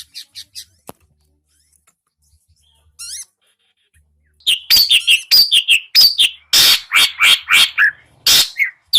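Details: Long-tailed shrike reacting for the first time to a master recording: a few soft chirps and a short trill, then from about halfway a loud, fast series of harsh squawky and chattering notes, roughly one and a half per second.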